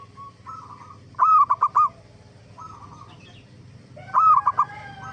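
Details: A zebra dove sings vigorously on a lure track intended to draw replies from other zebra doves. Bubbling phrases of one long note plus quick staccato notes, alternating with quieter purring trills, over a steady low-pitched hum.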